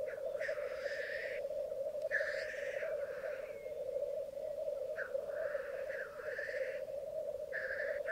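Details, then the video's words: Lekking black grouse at Mykland, May 2022, twelve cocks and two hens on a bog at morning: four rasping hisses at regular intervals above the unceasing low bubbling chorus. "Orreleik i Mykland, mai 2022"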